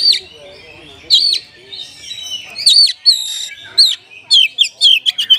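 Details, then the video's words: Oriental magpie-robin song with filler phrases imitating the sooty-headed bulbul: loud, high whistled notes with sharp upward and downward sweeps, given in bursts about a second apart, ending in a quick run of chips. "ISIAN KACER PALING BERBAHAYA HOT 🔴 KACER RASA KAPAS TEMBAK ORIGINAL SOUND"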